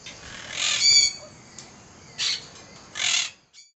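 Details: Monk parakeet (Myiopsitta monachus) kept at home in Rio Grande do Sul, Brazil, giving its screech: three harsh, grating calls, a longer raspy burst, then two shorter squawks about a second apart.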